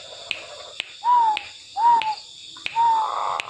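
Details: Three separate drawn-out cooing notes from a tame, vocal zebra dove, each slightly rising then falling, spaced under a second apart, with sharp regular clicks and a constant high-pitched hum in the background.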